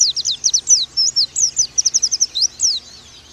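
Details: Oriental white-eye tutor song for training birds: quick chatter of piercing high slurred notes, mostly falling, in an uneven rapid series lasting nearly three seconds, with low hum underneath.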